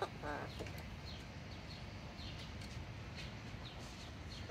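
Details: A pet yellow-naped amazon parrot follows its owner around, mumbling softly in low clucking murmurs with brief, quick chirpy notes, over a steady low rumble of room noise.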